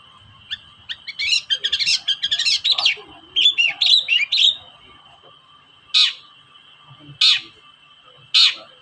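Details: Long-tailed shrike lure recording for shrikes that will not sing: a dense run of scratchy chattering notes lasting several seconds, then three loud harsh single calls spaced about a second apart, over a steady background tone.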